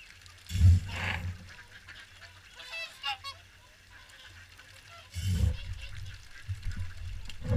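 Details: Morning swan feed at WWT Caerlaverock, where a few short, bugling honks sound midway between heavy gusts of wind buffeting the microphone.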